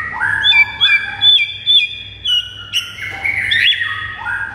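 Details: White-rumped shama song for stirring pet birds to sing: rich whistled phrases of looping rising and falling notes, repeated about twice a second, with some harsher notes midway.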